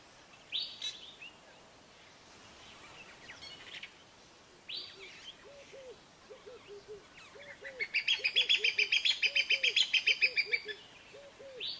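Crowned hornbill giving high, plaintive whistled notes, building into a fast run of piping calls near the end, over a low soft note repeated about twice a second.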